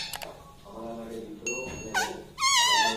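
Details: Talking parrot kept indoors: quiet background voices, then a short harsh note and a loud, wavering, nasal utterance closing the moment.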